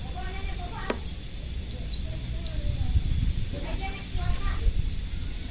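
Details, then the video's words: Loud-singing captive bush lark, parva type: a series of seven clear, high, down-slurred whistles spaced about half a second apart, with fainter lower notes and constant low background rumble. "Branjangan Parva Gacor Volume Keras"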